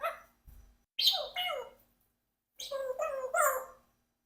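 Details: Four-year-old adopted Congo African grey parrot kept as a pet with other parrots, producing short harmonic squawky vocal bursts in three separate groups, some slurred and speech-like, with faint music behind.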